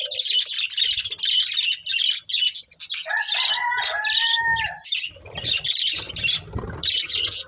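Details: While eating green food, budgerigars chatter in dense, raspy, high-pitched chirps almost without pause, while a long drawn-out tonal call from another bird rises and falls midway through.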